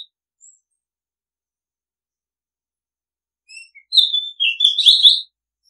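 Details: After a long pause, an Oriental magpie-robin (nok kangkhen ban) gives a single song phrase. Soft lead-in notes are followed by a strong descending whistle and a fast, slightly scratchy warble. The setting is otherwise silent.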